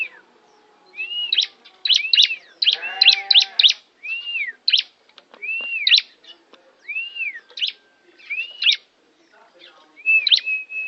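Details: Tame, lively bar-winged prinia from Kawali, Ciamis, kept as a tutor bird for canaries, repeating arched chirping notes in bursts every second or so, with sharp ticks between. A brief low harmonic sound cuts in near the third second.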